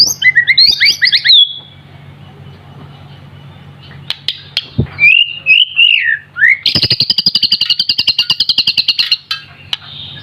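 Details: White-rumped shama not yet in adult plumage: twisting whistled notes, a quiet stretch, sliding whistles, then a rapid steady trill of sharp high notes lasting a few seconds.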